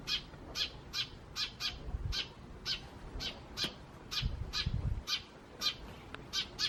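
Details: Eurasian tree sparrows in the wild, May 2017, with some starling among them: evenly spaced short harsh chirps about twice a second, with low rumbling noise bursts in the background.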